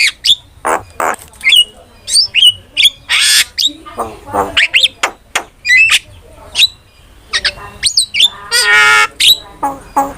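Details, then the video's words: Starling recording used as a lure and master sound for training; varied fast sequence of sharp whistles, slurred rising notes, harsh broadband rasping squawks and nasal harmonic phrases, delivered in short bursts with brief pauses. "PANCINGAN DAN MASTERAN BURUNG JALAK"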